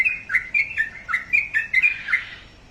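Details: Short burst of sooty-headed bulbul song: about eight crisp whistled notes alternating high and low, fading out toward the end.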